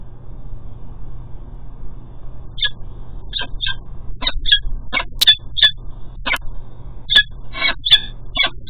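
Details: Male peregrine falcon calling as he delivers food at a cathedral nest: a rapid series of sharp, harsh chipping notes, about a dozen, spaced roughly half a second apart, over a low steady rumble.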